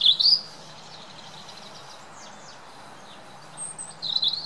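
A European robin sings brief, high, thin warbled phrases at the start and end, with faint sliding whistles between them over a low background hum.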